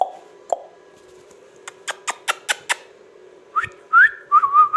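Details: Rose-ringed parakeet, a pet talking parrot, giving short sharp clicks in a quick series of five, then rising whistled notes and warbling chirps.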